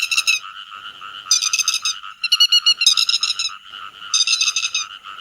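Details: Calling the flock, a grey-headed lapwing alternates loud bursts of shrill, rapid notes with quieter, steady chatter in between, forming about four distinct loud bursts.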